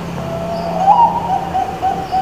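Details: Zebra dove of the Bangkok type cooing, a lure to prompt reluctant birds into song; a continuous, gently warbling trill of quick beaded notes at steady pitch, accompanied by a low electrical-sounding hum.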